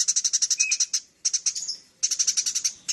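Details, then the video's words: Eurasian tree sparrow giving full chattering song: three bursts of rapid, sharp high chirps, about ten per second, with one short whistled note inside the first burst and brief silences between. "Suara burung gereja gacor full nyrecet"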